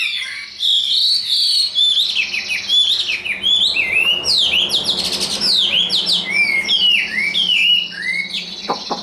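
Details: Tame, large Chinese hwamei sold as a spread-display fighting bird, singing a dense torrent of high whistled notes, quick upslurs and downslurs packed together without pause, with a faint low hum beneath.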